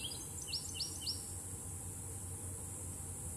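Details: Bachman's sparrow singing at Palm Bluff Conservation Area: a quick series of four sweet, slurred high notes in about a second, then silence against a steady insect hiss and low rumble.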